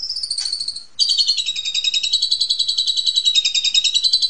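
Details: Asian pied starling in ngentrok-style therapy song used to stimulate home-kept magpie robins: a short high buzzy phrase, a brief break, then a long loud rapid pulsed trill that wavers gently in pitch.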